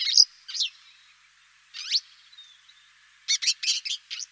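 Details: Eurasian crag martin calls: a few short, high, sharp chirps spaced apart, then a quick run of five or six clipped twittering notes near the end, with quiet surroundings.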